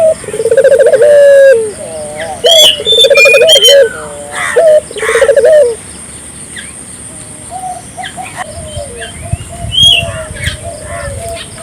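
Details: Barbary dove calling vigorously, played to stimulate local doves to call: low rolling coos, each with a fast trilled start and a drawn-out ending, repeated in bursts, with a few higher chirps from other birds.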